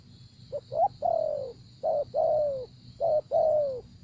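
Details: Spotted dove in a decoy trapping session: a couple of quick rising notes, then three paired coos, each a clipped note and a long, gently falling coo. A continuous high-pitched hum is also heard.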